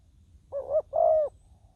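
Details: Decoy spotted dove calling on the ground to draw in wild doves: a single soft two-part coo, a brief hooting note then a longer level croo, over faint low background hum.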